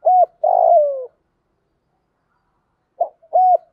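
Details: Spotted dove cooing for training a newly caught bird: a short arched coo and a longer falling coo, nearly two seconds of silence, then a clipped note and another arched coo.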